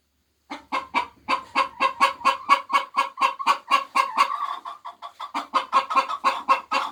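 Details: Chickens laying eggs cluck in a rapid, slightly uneven stream, about two notes per second, with overlapping voices and a thin high whine in the middle stretch.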